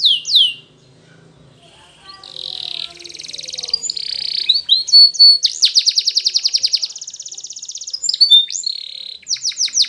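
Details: Training song from a Spanish Timbrado canary, opening with a brief falling note and a quiet gap, then soft warbles building into loud rattling trills and fast descending notes.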